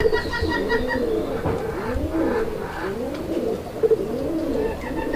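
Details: Domestic pigeons, local deshi, Chila and Bombay types, kept by a breeder in Kashimpur, Gazipur, Bangladesh; loud, low rolling coos that swell and dip in repeated arcs, several birds overlapping, with a few sharp clicks near the end.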